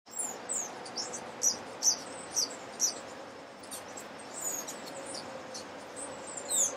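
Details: A Thick-billed Euphonia (Euphonia laniirostris hypoxantha) sings a string of sharp, very high, slurred notes, about two per second, then fainter, over a steady hiss of insects. Recorded in May 2012 at Alambi Cloud Forest Reserve, Ecuador.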